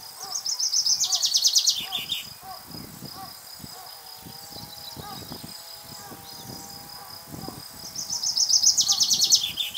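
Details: Two male common chaffinches answering one another in song: a rapid descending trill with a terminal flourish near the start, a pause of about six seconds with soft lower chirps and rustling, then another similar bright, cascading strophe.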